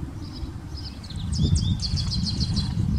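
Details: House finch, believed by the recordist to be a yellow one, singing high up in a tree in quieter reply to a person's whistling: a thin, high, rapid warble of bright chirpy notes, partly buried under steady low wind rumble.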